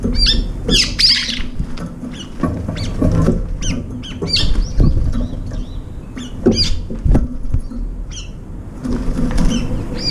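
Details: Several Brown-eared bulbuls gathered around a window feeder's food bowl: frequent short, high, hooked shrieks scattered through the recording, mixed with pecking, tapping and clattering sounds.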